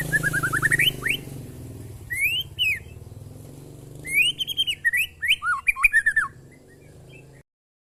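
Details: Oriental magpie-robin in a short training recording, singing rapid descending note runs and rising whistles, then a long varied burst of tumbling phrases over low rumbling noise before silence.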